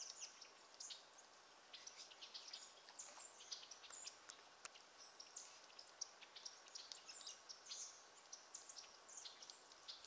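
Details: American goldfinches drinking and eating in a swamp at Roxbury Park, Meggett, South Carolina, give thin, high twittering calls and short sweet notes, scattered steadily over a soft background hiss.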